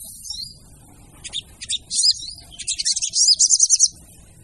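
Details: Used as a lure, a female sogon gives high, thin chirps that build into a fast, tightly repeated chattering run before fading out.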